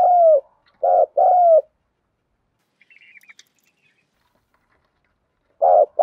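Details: Spotted dove giving thúc gù coos, a falling coo and one short-plus-long phrase at the start, then a quiet stretch with faint high chirps before another throbbing note begins.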